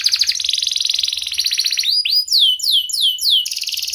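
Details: Sharp-voiced canary song used as a lure to start quiet canaries singing. A rapid rattling trill gives way to a rising whistle, then a run of loud downward-sweeping notes and a final burst of buzzy trill.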